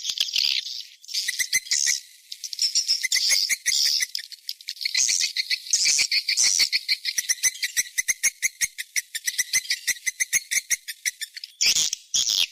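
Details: Swiftlet calling sound for a nest house, the 'seruling sakti' type: high chirping phrases laid over fast, regular clicks that continue through, with a brief pause near the end.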